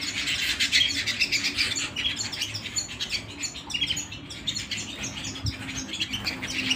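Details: Canary at home giving a continuous high, chattering song of quick chirps and trilled bursts, loud throughout, with a soft low hum underneath.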